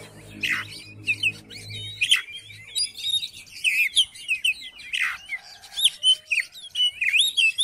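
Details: Oriental magpie-robin in song, a recording played to urge another magpie-robin to sing: rich, varied warbling with rapid chirps, sweeping whistles and occasional harsh descending notes, low hum audible at the start.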